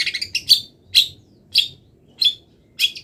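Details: Mid-molt long-tailed shrike singing borrowed wild-bird phrases: a quick stutter of high notes, then loud harsh chirps spaced roughly every half second.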